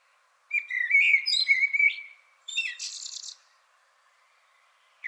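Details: Common blackbird song block: one unhurried phrase of low, mellow fluted whistles ending in a brief, higher, scratchy twitter, then silence; such blocks are separated by about three to four seconds of silence.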